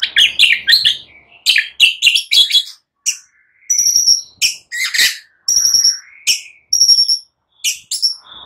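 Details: A morning white-rumped shama song used to get silent birds singing: dense high chips in fast clusters, then spaced, piercing whistled notes with crisp clicks, repeated in short separated bursts.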